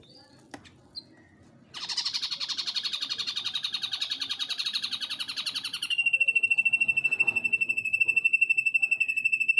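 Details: Ashy drongo singing vigorously on a tutor recording from Cililin: a few faint clicks, then a loud, harsh, buzzy burst of rapid pulses. It switches to a steady, high, thin pulsed trill held at one pitch to the end.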